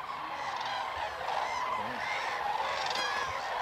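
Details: Common cranes performing their spring dance at Hornborgasjön, Västergötland, in April 2009, recorded on a Canon XL2. A dense chorus of rich, ringing trumpet calls is broken by a few bold bugles and a low, wavering tone.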